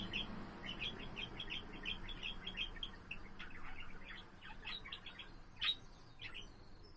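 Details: Pet budgerigar singing indoors, a steady warbling chatter of short chirps and clicks with a sharp louder squeak near the end, background room noise present.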